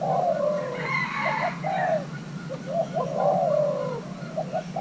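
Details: Young male Thai-cross spotted dove, being paired, coaxed to show its calling style: low hoarse coos, a long drawn note then short clipped notes and another long slurred coo, faint higher chirps of other birds, steady low hum.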